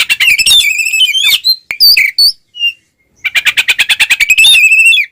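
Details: Oriental magpie-robin singing a fighting song in the ngeplong style, used as a lure to provoke rival birds. Harsh, buzzy phrases with strong overtones, then a pause, followed by a fast rattling trill that ends in upslurred whistles.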